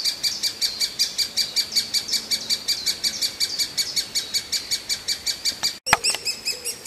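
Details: Begging great spotted woodpecker chick: a fast, regular run of thin, high chirps, close to three each second, followed by a sudden break and a short click before the calling resumes.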